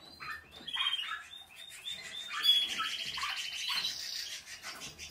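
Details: Canary singing, among Portuguese Harlequin, Spanish, Malinois and Spanish Timbrado breeds: soft warbles building into buzzy rolling trills and a brief bright high note.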